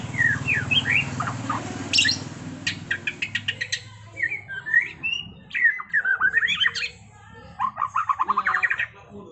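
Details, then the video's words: White-rumped shama (Copsychus malabaricus) singing in the trontolan ngerol style: a rich, varied mix of clear slurred whistles, rapid rolling trills and dry rattling bursts in quick succession, with a low hum during the first two seconds. "Masteran Murai Batu TRONTOLAN NGEROLLLLLLL Edan!! GACOR X Roll"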